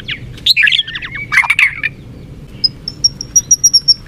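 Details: White-rumped shama (murai batu), a popular kept songbird: harsh chattering bursts, then a series of about eight short high ticking notes repeated evenly.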